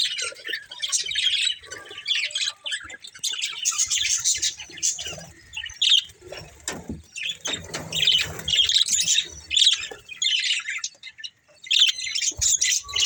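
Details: Breeding pair of budgerigars producing steady, busy chatter of high chirps and scratchy warbles. Short breaks and light fluttering or tapping noises interrupt the chatter.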